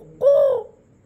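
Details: Parrot kept as a pet mimics a crow: a single loud, hoarse caw lasting under half a second, gently arching then falling, with near silence afterward.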